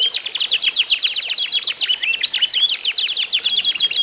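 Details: Isian canaries in a singing contest meant to encourage other canaries to sing; dense overlapping bursts of fast high notes and short whistles, steady and energetic for four seconds.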